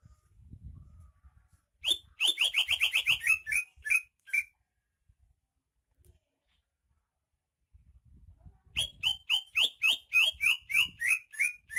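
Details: Rare greater green leafbird native to Banyuwangi, singing lively: fast repeated chirping phrases of clear, slightly descending notes, about three per second, in two long bursts separated by several seconds of quiet.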